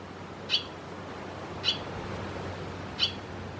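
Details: Barn swallow in Croatia giving three short, sharp, high chirped calls, evenly spaced about every 1.2 seconds, over a faint low steady hum.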